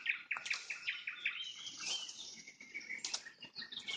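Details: Nightingale singing at sunset: a string of short, sharp repeated notes opens the phrase, then gives way to a dense, high, jumbled warble with brief rapid flourishes.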